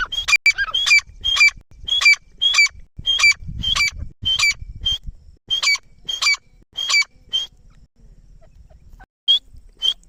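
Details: Partridge uttering a series of loud, sharp, clipped call phrases repeated about every half second for seven seconds, then a pause with faint low hum and two final notes.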